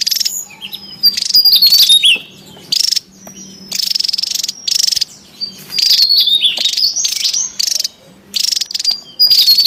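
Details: Wild Javan tesia, noisy and active, recorded as lure and training sound: rapid bursts of high, buzzy chatter with slurred whistled notes that rise and fall, packed in quick succession.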